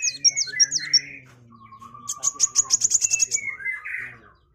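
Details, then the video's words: Kolibri wulung sunbird in lively song for shama tutoring: high looping whistles, then a thin level tone and a fast run of sharp, very high ticking notes, ending with lower buzzy slurs. "MASTERAN KOWUL GACOR || KOLIBRI WULUNG, KOLIBRI WAYANG"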